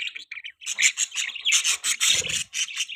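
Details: Budgerigar chirping in a quick, continuous stream of high, slightly harsh tweets and squawky notes, several per second, with a brief low rustle midway.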